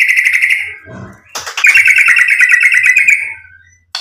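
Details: Murai batu (white-rumped shama) sound meant to provoke and excite: a harsh, rattling buzzy series, a short gap, then a louder fast chattering trill that fades away.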